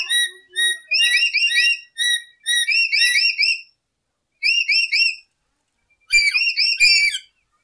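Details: Lory recorded as a lure: clustered phrases of bright, wavering whistled notes, three to four per burst, separated by brief silences, with one faint low note near the start.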